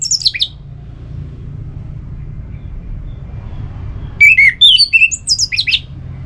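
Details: Orange-headed thrush song used for coaxing kept birds: high, rapid slurred notes at the start, then after a pause a varied tumbling run of whistles and sharp high chirps.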